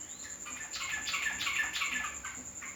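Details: Yellow-vented bulbul singing: a short burst of bubbly, warbled notes with chattering and slurred phrases, over a steady high electronic whine.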